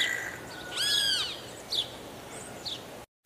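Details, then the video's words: Guira cuckoo, a bird usually found in family flocks, gives one loud, rich, arched whistle that rises and falls, then two fainter, shorter notes over a soft background hiss. "Canto do ANU-BRANCO"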